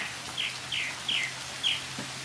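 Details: Northern mockingbird singing in the rain: four short, bright, buzzy phrases repeated about every half second, with steady rain patter underneath.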